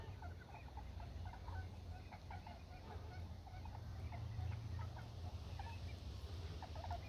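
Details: A flock of tundra swans on the water at Church Slough, an oxbow of the Flathead River near Kalispell, Montana, with trumpeter swans also present, gives overlapping short hooting and yelping calls over a deep rumble of wind.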